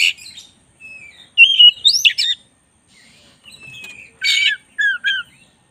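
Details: Black-breasted oriental magpie-robin singing energetically as a tutor. Soft opening notes lead to loud sweeping, rising whistles, a quieter pause and then bright chattering phrases with downslurred whistles.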